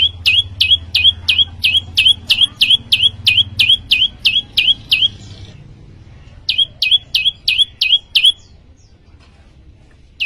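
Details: A prinia, the prenjak lumut, in busy gacor singing: a long run of sharp high chirps about three per second, a pause of roughly two seconds, then a second run of similar notes, with a faint low hum underneath.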